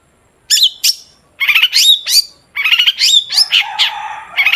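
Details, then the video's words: Long-tailed shrike in vigorous 'gacor' song, intended to lure other shrikes into singing: harsh scratchy phrases mixed with rising whistled notes, in dense bursts roughly a second long separated by brief gaps. "Burung cendet gacor DOR BUAT PANCINGAN CENDET AGAR BUNYI"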